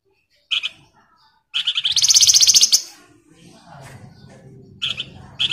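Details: Flamboyan in lively, prolonged singing, used as a lure to prompt other birds to sing: short buzzy chirps, then a dense, rapid, harsh chattering burst about one second long, followed by more brief chirps over faint low background noise.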